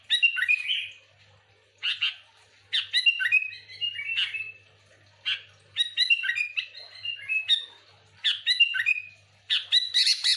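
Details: Sooty-headed bulbul singing lively, used to lure other bulbuls: bubbly, liquid whistled phrases of three to five notes, repeated about every second with short pauses, bright and chattering, over a faint low hum.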